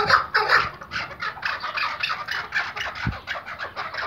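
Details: Rapid, harsh clucking bursts from a tethered Iraqi white hunting Chukar partridge, several notes per second, with a single low knock midway.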